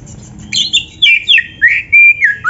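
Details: Oriental magpie-robin in full song, used to coax other birds into singing: a quick run of clear whistles, falling slurs and a held, steady whistled note, ending with a short upward flick.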